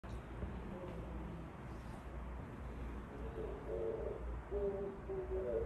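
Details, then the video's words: Oriental turtle dove singing outside a window: after about three seconds of low background hum, soft low coos begin, grouped into short phrases of two or three notes and growing slightly louder toward the end. "又在窗外唱歌 金背鳩 Oriental Turtle Dove singing outside the window"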